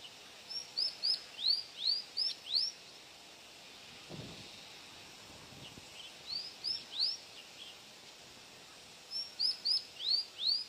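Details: Mantenan gunung singing: three bursts of five or six thin, sharply upslurred whistles, very high and evenly spaced, each burst separated by a pause of a few seconds, over faint steady hiss.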